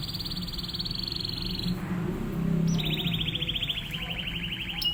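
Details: Master song of a canary meant for training other canaries: a fast even trill, a pause with low rumbling background noise, then a slightly lower rapid pulsed trill that slowly descends and slows.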